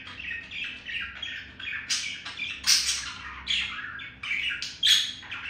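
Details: A male budgerigar woos a female with chirping and beak tapping, a rambling high warble of squeaks, rasps and whistled notes punctuated by louder sharp bursts.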